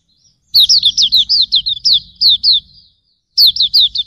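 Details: Tutor song of Hume's white-eye: rapid sequence of high, zipping, downslurred notes, a short pause, then another quick burst; faint low hum in the background.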